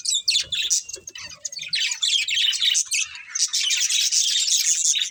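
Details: Several budgerigars warbling and chirping rapidly, a dense stream of scratchy, high twitters that grows steadier and louder toward the end.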